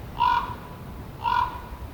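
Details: ['Two hoarse, level croaks from a common raven, about a second apart, each lasting a fraction of a second with buzzy overtones, against a soft background hiss.']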